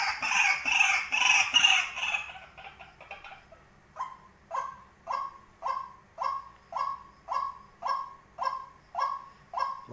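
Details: Tame decoy white-breasted waterhen giving a steady series of short, hollow notes, about two per second. A burst of broad, noisy sound comes first, before the calling settles in.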